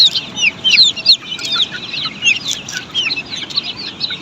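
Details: Australorp chicks kept on a poultry farm, loud shrill peeps in quick bursts, several birds calling at once with sharp downward-sliding chirps about every half second.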